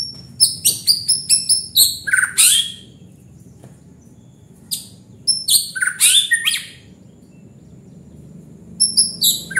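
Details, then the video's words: White-rumped shama singing gacor: fast runs of high, sharp whistles and chirps with lower buzzy, rattling flourishes, delivered in dense bursts separated by short pauses over a low hum. "Murai batu gacor bikin panas"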